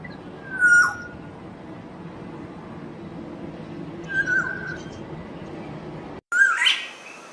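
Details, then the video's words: Black-naped oriole singing in the wild: clear, mellow whistled phrases repeated about every three seconds, each short and fluty, with faint high chirps from other birds and soft background noise. "Burung Kepodang Kicau Burung Merdu"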